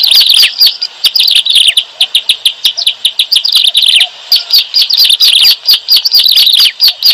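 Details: Trapping lure call of bar-winged prinia: dense run of shrill twittering chirps and quick trills, bursts broken by brief gaps around four seconds, steady loud chatter throughout.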